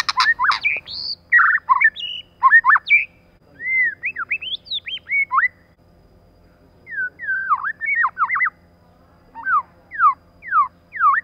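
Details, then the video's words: Female white-rumped shama used as a lure, with a male and female pair named: bursts of short whistled and slurred notes, some rising and some falling, in loose series separated by brief pauses. "CHOÈ LỬA MÁI.choè lửa trống + mái kích lửa"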